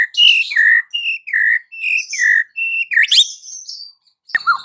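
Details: Afternoon white-rumped shama song meant to make a silent bird start singing: clear whistled notes alternating high and low, each about half a second, followed by a rising sweep and a sharp click.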